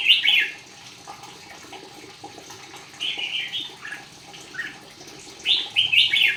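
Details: Red-whiskered bulbul singing in a bulbul singing contest: short, bright warbled phrases in three bursts, near the start, around three seconds and again near five and a half seconds, separated by quiet gaps with faint background hiss.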